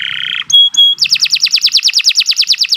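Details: Canary song for training birds: a brief buzz, two clear whistled tones, then a rhythmic run of rapid downward-slurred notes about six per second.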